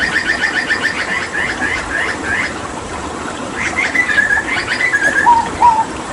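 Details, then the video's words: Hooded butcherbird from Papua during water therapy: rapid repeated short notes, then a few clear sliding whistles and two lower downward-slurred notes. "Masteran Tembakan JAGAL PAPUA gacor"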